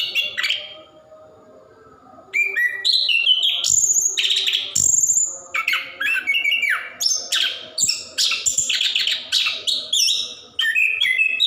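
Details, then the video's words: Orange-headed thrush in captivity, its long song meant to stimulate quiet birds; after a brief whistle and a two-second lull, a rapid unbroken stream of loud varied whistles, trills and piercing high chirps follows. "Anis Kembang / Plontang Gacor Ngerol"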